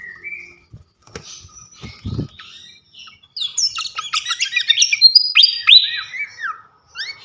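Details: Champion fantail (srikatan kipas) singing openly as songbird training material. A soft rising whistle and a few thumps open, then from about three seconds a loud, rapid jumble of high chirps and bright whistled slurs.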